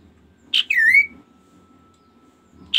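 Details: Kaso-kaso bird giving a single phrase: a sharp high note, then a clear whistle dipping and rising again, followed by silence before the next note begins.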